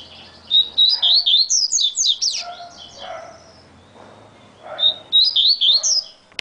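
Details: Male Yellow-bellied Seedeater (Sporophila nigricollis) sings very fast, in two quick bursts of bright, high, varied chips and slurred whistles, each about two seconds long, separated by a short pause.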